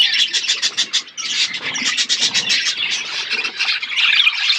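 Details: Budgies eating seeds in a natural outdoor aviary fill the air with loud, rapid chattering: squawky, rasping warbles repeated in quick pulses by many birds at once.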